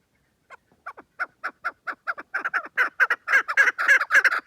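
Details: Chukar partridge call building from scattered soft clucks into a fast, loud rhythmic series of chuk notes, accelerating and growing louder toward the end; no other sounds.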